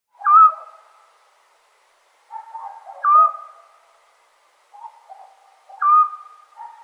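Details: Eurasian scops owl calling on a summer night in Serbia: three short, clear whistled notes, each a steady mid-pitched tone, spaced roughly two and a half seconds apart, with softer lower murmuring sounds between them.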